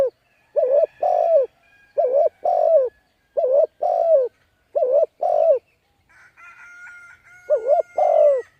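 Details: Spotted dove coos used to draw in wild doves: five two-note phrases, a wavering start and a longer sinking note. A drawn-out clear whistled tone follows, then one more phrase.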